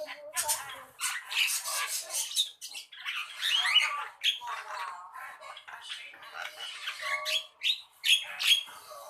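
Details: Javan myna delivering a long run of loud, scratchy squawks and clicks, mixed with buzzy churring passages and occasional thin whistled notes toward the end.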